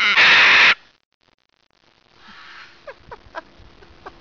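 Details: Macaw, described as mean, squabbling with an elderly woman: one loud, harsh, grating squawk lasting under a second, followed by quiet with a few faint clicks and soft background sounds.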